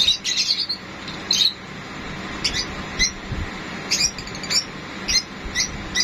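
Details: A sun conure, filmed during mating behaviour, gives short, harsh, high squawks in irregular bursts, roughly one every half second to second, with faint indoor background hiss.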